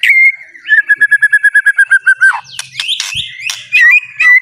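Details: White-rumped shama song played to provoke a silent bird into singing: a steady whistle, then a rapid series of about fourteen repeated whistled notes, followed by jumbled harsh notes and sharp chips.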